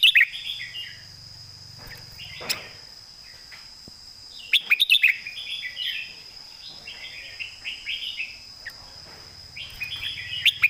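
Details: Red-whiskered bulbul kept for song contests delivering its master song, short whistled, bubbly phrases repeated about every two to three seconds, with sharp clicking bursts between them and a steady high electronic whine throughout.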